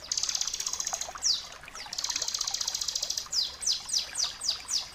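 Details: In this tutor recording for training caged birds, a bar-winged prinia gives two long, fast buzzy trills separated by a single falling note, then a run of quick, downward-slurred whistles.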